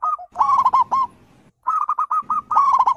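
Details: Zebra dove cooing, a wild bird recording meant to lure birds into answering: two quick bursts of sharp, clipped coo notes in rapid succession, separated by a brief pause, with low background noise.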